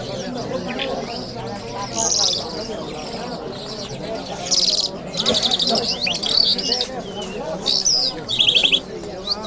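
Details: Lark, locally called jal mashhadi, singing in Kabul on a Friday morning: scattered bursts of high buzzy, rattling phrases over a steady murmur of lower warbling sounds in the background.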